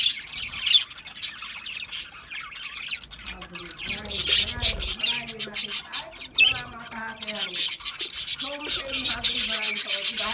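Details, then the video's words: Several budgerigars feeding on seed mix: bursts of bright, buzzy chirping and squawks, with a series of lower rising and falling squeaky notes in the middle. "Budgies eating seed mix foods"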